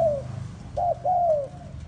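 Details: Spotted dove used as bait for forest trapping gives one coo pair, a brief note followed by a long gently descending coo, with the tail of an earlier coo at the start.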